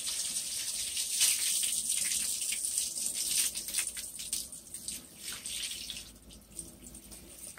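Steady hiss of running water from a tap, with no clear animal calls.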